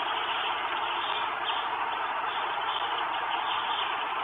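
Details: Only a constant broad hiss, like an idling engine or wind, runs through the recording, with no animal calls heard.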